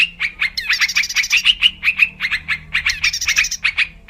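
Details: Wild yellow-vented bulbul song used as a trapping lure: rapid bubbly chattering notes near the same pitch, about five per second, with brief higher buzzy bursts between them and a faint low hum underneath.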